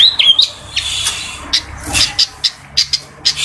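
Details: Fantail song: a few thin, high whistled notes at the start, then a run of sharp, bright chips repeated roughly every third of a second, with short wavering whistles between some of them, against a quiet background.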